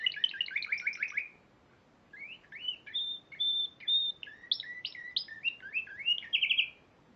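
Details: Spanish Timbrado canary singing at a March 2014 competition: a quick descending trill, a pause, then varied whistled phrases, short rising slurs, a steady held note and a closing rapid buzzy trill.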